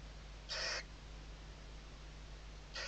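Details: Western barn owl family at a nest in Riet Vell reserve, Tarragona, Spain, 2023 season, young beneath the mother's wings: one short coarse hiss, then another beginning at the very end, with a low steady hum.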